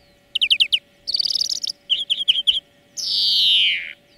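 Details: Training song of a European greenfinch: rapid downslurred twitters, a rolling buzzy trill and a chirpy series, ending in a drawn-out nasal wheeze that falls in pitch. A low hum runs throughout.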